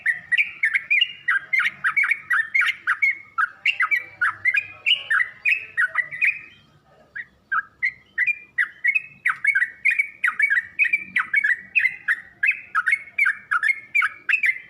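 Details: Lure and training song of a yellow-vented bulbul for young birds learning their song: long series of lively chirped notes, dipping and rising, delivered in dense bursts with a brief pause midway before the chirping resumes.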